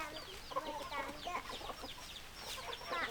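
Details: Crowd of hens clucking at once, with overlapping short harsh notes and some drawn-out mid-pitched calls rising above the steady flock chatter.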